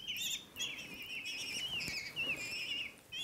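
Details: Common kestrel chicks, taken into care after their mother disappeared, begging as they get a final feed before going back to their wild nest; wavering, whining high calls run almost continuously, with a soft flutter of wings.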